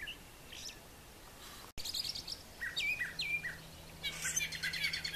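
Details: Male brown thrasher singing in the morning on a farm yard with brushy nesting areas: after a quiet start, short bright chirped and slurred phrases follow one another quickly, with a low steady hum underneath.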